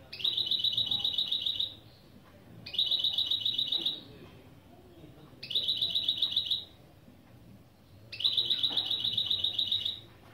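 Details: Mule hybrid of European goldfinch and canary repeating opening phrases for a song lesson: four rapid, buzzy high trills of about one and a half seconds each, spaced at regular intervals with short silences between.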